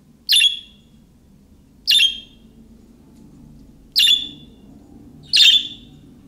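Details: Calling chirps of a budgerigar like those of young birds, used to make other budgies respond; four well-spaced harsh chirps over a constant low background hum.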